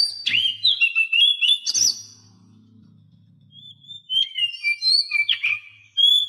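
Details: Song of an Oriental magpie-robin, used as a training recording to make silent captive birds start singing. Quick varied whistles and chirps are followed by a quiet spell with a low hum, then a new burst of high slurred whistles.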